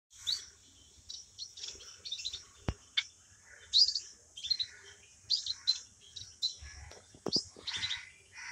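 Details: Hybrid of society finch and long-tailed finch singing. High, thin chirps and twittering notes come in quick clusters, with occasional sharp clicks and a few brighter whistled notes.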